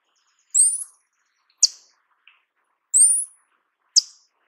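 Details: Paradise tanager (Tangara chilensis), a 12–13 cm Amazonian tanager, giving very high, thin calls: a sharp descending buzzy note followed by a quick sibilant tick, repeated twice about 2.5 seconds apart.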